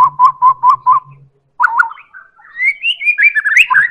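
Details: White-rumped shama of the Medan type, played as a lure to make other birds sing: five evenly spaced whistled notes on one pitch, a short pause, then a rising, warbling run of varied whistles.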